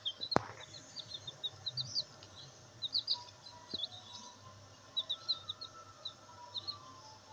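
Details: Black Bantam chicks giving many thin, high peeps in small irregular clusters over a steady background hiss, with one sharp knock near the start.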